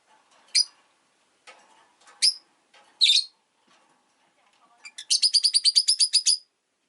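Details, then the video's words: Five caged rosy-faced lovebirds by a window on a winter day give scattered sharp, high chirps, then a fast run of about a dozen bright, evenly spaced chirps near the end. "Lovebird Chirping Sounds"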